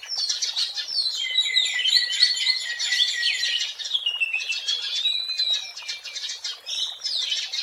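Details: Oriental magpie-robin singing in the wild, recorded for use as a lure: a dense, unbroken flow of bright whistled notes and sweeping slurs, with rapid twitters woven through and no pauses.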